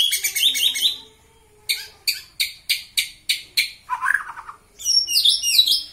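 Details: A caged white-rumped shama, angered on purpose to build its fighting mentality, sings high tumbling notes, then about seven sharp repeated strokes, a lower buzzy phrase, and a shrill, squeaky warble.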